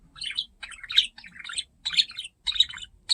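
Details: Pet budgie, curious and getting to know the camera, chattering in rapid scratchy warbling bursts about twice a second, with low handling thumps underneath.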